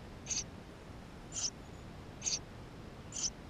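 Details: Nestlings of the Eurasian tree sparrow begging inside their nest, recorded by GoPro in May 2016: four brief, thin, high squeaks spaced about a second apart, faint hiss between them.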